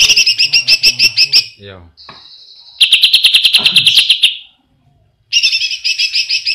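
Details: Greater green leafbird song meant as a reference for training other birds: rapid rattling trills of sharp, ringing notes in bursts, with a sustained thin tone between them.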